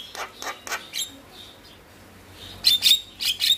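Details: Singing male Javan myna, meant to prompt lazy birds to sing: a series of harsh rasping notes, a brief pause, then loud high whistled and scratchy bursts.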